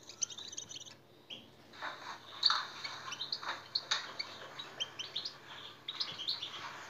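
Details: European goldfinch singing to excite caged birds: a short twitter, then a pause, then a fuller, liquid run of chirps and slurred notes with some buzzy passages, ending in scattered high tweets.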